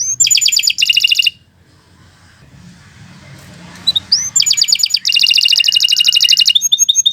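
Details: Canary song for tutoring: bursts of rapid bright trills and rattling notes, a quiet gap of about three seconds with faint background hiss, then a long fast rolling trill with repeated chirps.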